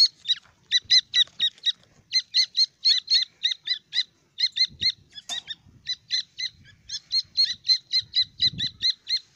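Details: Grey francolin chicks, called Iranian teetar, giving rapid, thin, high peeping notes about four per second in short runs with brief pauses, over faint low rustling and soft knocks.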